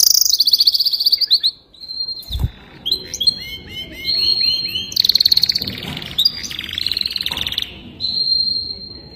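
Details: Young canary in song: fast high trills, a clear held whistle, a run of repeated curved chirps, then more rolling trills and a final steady whistled tone; one low knock partway through.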